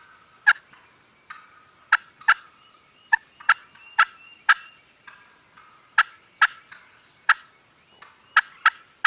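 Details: Gobbling turkeys at a farm, recorded on a Canon G7X: repeated rough, broadband bursts arriving irregularly in pairs and singles across the recording, with a faint steady hum beneath.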